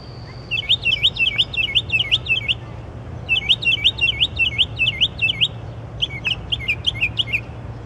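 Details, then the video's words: A nocturnal songbird with a wide repertoire delivers three phrases of rapidly repeated looping, whistled notes, each note about a third of a second apart, with short gaps between phrases and a constant low background rumble. "Songbird - amazing repertoire"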